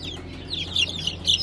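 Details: Young Brahma chicks from a fresh hatch of light, gold and blue birds dated 20 April 2020 give a few shrill, downward-sliding peeps, with a low electrical hum beneath.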